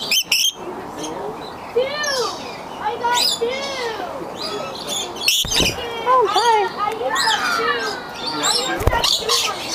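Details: Lorikeets at the Oregon Zoo landing on a visitor to drink nectar from a cup chatter in a busy flock, overlapping shrill, rising-and-falling squeaks and screeches, with people talking faintly underneath.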